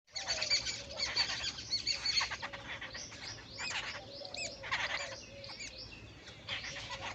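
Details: Jungle babbler calls: harsh, scratchy chattering bursts in dense runs, with squeaky notes and short rising squeals. The chatter pauses briefly between bouts, and a steady low hum sits underneath.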